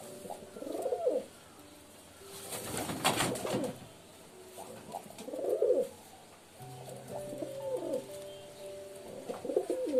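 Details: Pigeon coos, rounded throaty phrases repeated about every two seconds, with a loud rustle of flapping wings early on and a low steady hum.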